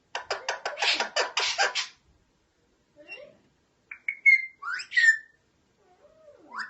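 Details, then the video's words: A parrot gives a rapid series of harsh, noisy bursts for about two seconds, then, after a quiet gap, several short whistles and slurred notes rising and falling. "Cute parrot talking and making sounds"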